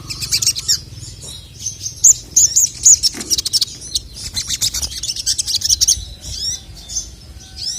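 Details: Male sogon, or crested jay, singing a provoking training song: dense high chatter breaking into short arched whistles, then loose scattered chirps and a buzzy flourish at the end.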